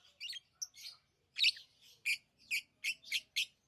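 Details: Tame pet lovebirds giving a run of shrill, harsh chirps, a few softer twitters at first, then loud clipped notes repeated about every third of a second toward the end.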